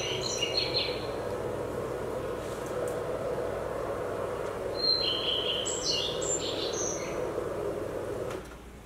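A songbird sings short high whistled phrases, several notes sliding and overlapping as if two tones sound at once, over a steady low hum.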